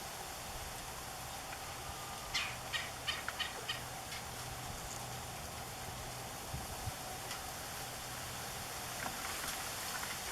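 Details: A male Red-bellied Woodpecker in a Central Florida yard calls at length before settling for the night in his nesting box on a sycamore tree: a quick run of about eight short, scratchy chattering notes, then scattered single notes, over electrical hum.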